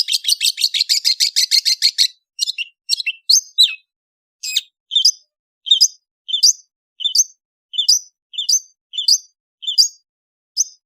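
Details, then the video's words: High, rapid chattering burst from an Indonesian long-tailed bird in the afternoon, followed by a slow series of clipped, downward-flicking whistled notes repeated about every half second. "THE SOUND OF INDONESIAN LONG TAILED BIRDS"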